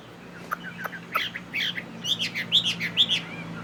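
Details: Chinese hwamei, a tamed fighting bird of northwestern origin, sings: a few sharp scattered notes, then a quickening run of slurred rising-and-falling whistles with a steady low hum behind.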